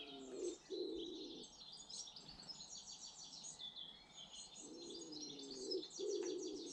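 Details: British garden birds in a mixed chorus: bright high twittering and chirps run throughout, over low, hollow cooing phrases that come in two bursts at the start and again near the end.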